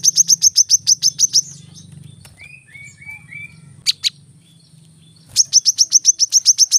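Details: Brown-throated sunbird in a fast burst of high clipped chips, then a quiet stretch with a few soft twittered notes and a short double squeak. A second rapid chip volley closes the recording over a low hum.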